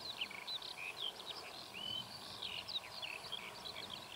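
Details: Eurasian skylark perched on a pole on a very hot day, watching over its territory, delivering a fast, unbroken stream of twittering notes with a few drawn-out whistles, against a hissing, rumbling outdoor background.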